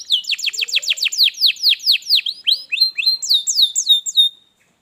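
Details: Singing canary, used to get a quiet canary singing: a quick run of bright downward-sweeping notes, slowing into separate rising-falling whistles before stopping.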